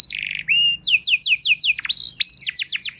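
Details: Canary master song to teach other canaries: buzzy trill and a flat whistle, then a run of repeated downslurred whistles and a rising sweep into more fast slurred notes; soft low hum behind.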